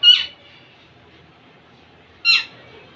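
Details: Indian ringneck parakeet, young male impressing a female: two abrupt, grating screeches about two seconds apart.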